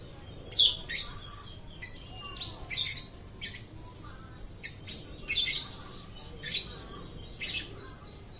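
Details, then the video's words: Lovebird chirping continuously, sharp high squeaky notes and short squawks repeated irregularly, several in quick doubles, with faint lower twitters between. "BURUNG LOVE BIRD TIDAK BERHENTI BERKICAU"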